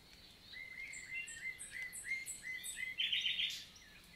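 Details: Common nightingale song recorded on a summer morning, 11 June 2023, in forest of the Lot, southern France: evenly spaced high-and-low paired notes repeated about six times, ending with a loud harsh buzzy flourish.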